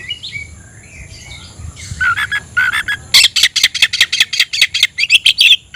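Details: Kacer, the oriental magpie-robin, singing loudly as if seeking an opponent: a quiet opening of thin whistles and chattering, then a fast, steady volley of sharp, buzzy notes about three per second.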